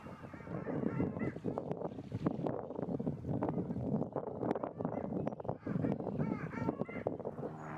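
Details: Long-tailed Ducks in a flock in early spring (April) at Tommy Thompson Park, Toronto, on cold water after wintering, give funny nasal, yodelling, honk-like calls that overlap and rise and fall over a steady low murmur.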